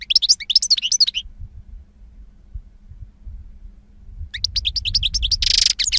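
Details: European goldfinch delivering quick tinkling twitters, pausing over a low background rumble, then returning with more bright chirps and a short buzzy rasp.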